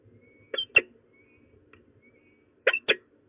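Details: During a prey transfer between peregrine falcons at De Mortel, Netherlands, 4 March 2024, late afternoon: two sharp doubled notes, raspy and clipped, about two seconds apart, against a soft steady background hum.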